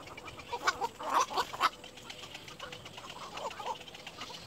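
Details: Little egret chick at its nest, described as seeming exhausted; a quick burst of harsh clucking notes in the first two seconds, then a softer run of repeated clucks, over a steady background hiss.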